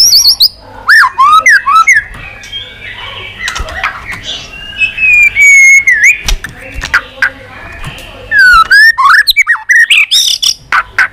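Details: White-rumped shama giving a fighting song with long phrases: loud slurred whistles rising and falling, quick chirps and sweeping notes in rapid bursts, with a brief gap mid-phrase before the whistles resume.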